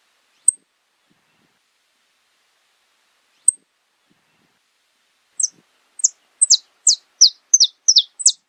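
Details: Saffron finch (canário-da-terra) beginning its song after a few faint isolated clicks: high, sharp descending chirps that build into a quick, regular series near the end.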